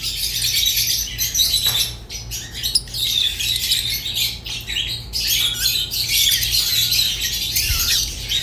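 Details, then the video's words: Rosy-faced and Fischer's lovebirds singing, harsh chirps and thin whistled squeaks tumbling in uneven bursts, with a few short pauses. "تغريد ولا أروع | روز و فيشر غندور بصوت ساحر وممتع"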